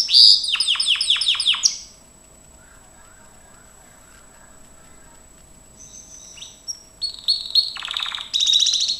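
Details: Gloster canary in training song: a loud burst of rapid descending sweeps opens, then a near-silent pause of several seconds, then soft high notes that build into a fast buzzy trill at the end.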